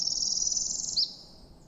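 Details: A Northern Parula, possibly the most common breeding warbler locally, gives a high, buzzy trill held for about a second, like a zipper closing, then ends in one sharp clipped note. Faint background hiss.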